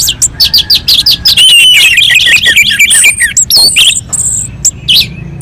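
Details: Orange-headed thrush singing on a mountain slope, its song meant to provoke other birds: fast run of piercing whistles and twittering notes, about three per second, with warbled sweeps and a sustained high whistle near the end.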